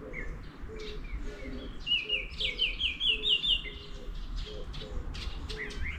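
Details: Morning wild birds recorded 24/05/11: a bright, fast descending trill of chirps in the middle, against soft low notes repeated about twice a second and scattered distant twitters.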